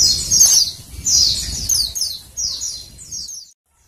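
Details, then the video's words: High, quick descending chirps in close succession from a female Oriental white-eye, a call to stimulate males, stopping abruptly after about three and a half seconds; soft low background noise. "suara PLECI BETINA penggacor PLECI JANTAN"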